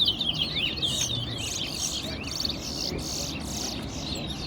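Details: Towa towa singing in a bird competition in Guyana's National Stadium: bright, looping, twittering phrases that fade after a few seconds, over an outdoor hum of people.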